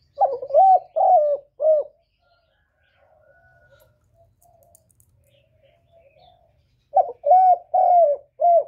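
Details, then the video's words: Decoy spotted dove cooing in a contest with a wild dove: low, hollow four-note phrases, a short clipped opening note then three drawn-out coos, heard at the start and again near the end with a quiet pause between. "Tiếng cu mồi lỡ gù đấu bổi"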